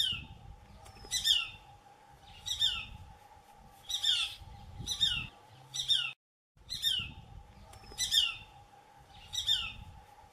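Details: Shikra at a farm near Kalwar, Jaipur, giving a series of sharp, high, squawky calls that drop in pitch, spaced roughly one to one and a half seconds apart, with a constant low hum underneath.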